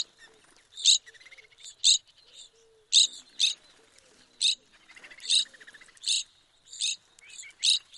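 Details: Evening grosbeak, a large finch of forested regions that often visits feeders in flocks, gives repeated short, loud, high chirps roughly every half to one second, with softer trilled notes between them and a faint low tone.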